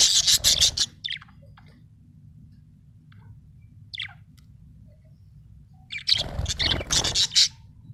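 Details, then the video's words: Happy budgerigar chirping: bursts of bright, scratchy warbling notes at the start and end, with a few short chirps between and a low hum in the background. "Happy budgie chirping sound"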